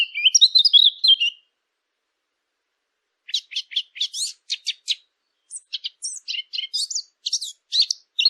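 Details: A warbled burst of chirps, then silence, then a steady series of short, sharp high tweets about three a second, joined by squeaky whistled notes.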